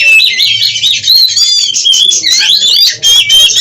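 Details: Captive Oriental magpie-robin singing in the rapid, erratic konslet style, with wing-flapping display and spread tail. Loud, varied whistled song with rising and falling slurred notes and quick warbles, almost continuous, over a low steady hum.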